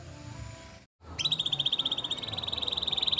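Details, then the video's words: Canary song for training: after a brief low hum and a short silence, a steady high rolling trill of fast repeated notes begins and continues, with a second quicker pulsed layer above it. "Best Canary Bird Sounds!! Suitable for your canary training"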